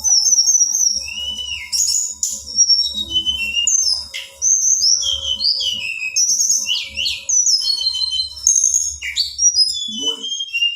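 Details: Long, busy song of a female Black-winged flycatcher-shrike meant to provoke males: a steady stream of piercing whistles, zigzag trills and falling slurs that barely pauses, over a low droning hum.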